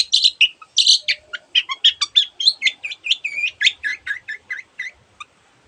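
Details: Long-tailed shrike in lively 'gacor' song, used as a tutor recording for reluctant singers and holding many other birds' sounds: a fast run of varied chirps, trills and short whistles, roughly ninety notes a minute, with no background noise.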